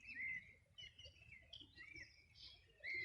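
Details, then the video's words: Short burst of morning birdsong beside the Río Bueno, Los Ríos Region, summer 2020. Bright upslurred whistles open and close the passage, with thin high chirps and twitters between them. "Sonido de las aves a orilla del Rio Bueno"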